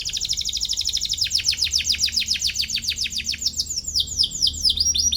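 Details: Singing Atlantic canary searching for a rival, a song used to teach young canaries; rapid high chirps run together into a rolling trill, then slower, separate downward-sweeping notes.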